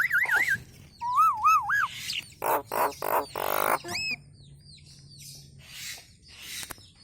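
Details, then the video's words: Nias hill myna song used as a training recording for cage birds. Loud, pure whistled notes wave up and down, then come harsh broadband bursts, a few rising whistles and quieter scattered notes toward the end. "Masteran Burung Jalak Nias istimewa"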